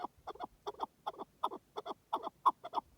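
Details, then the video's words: Wild partridge in the wilderness giving paired clucking notes, each pair a quick double 'chuk-chuk', repeated about every third of a second in an uneven rhythm, with no other sounds. "Pure Partridge Calls in the Wild"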